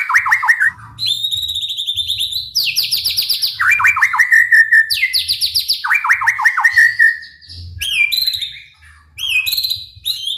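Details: White-rumped shama singing energetically to spur other shamas into song: alternating phrases of rapid trills at high and mid pitch, each sliding down, followed by short chirped flourishes with brief gaps.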